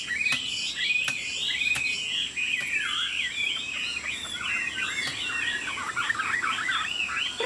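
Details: Chinese Hwamei kept as a cage bird, about 90% tame, singing with wing-flicking and nodding display: a continuous, rich warbled song of rapid rolling whistled notes growing busier toward the end, with occasional sharp taps.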